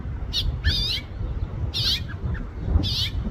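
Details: House finch giving four short, bright chirped calls, some with a quick double note, spaced about a second apart over a steady low rumble of background noise.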